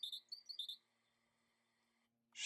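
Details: A tit in spring woodland beside a spring-fed pond, singing a quick burst of high, thin paired notes three or four times in under a second; this song signals spring's arrival. Then a faint steady hum and brief rustle.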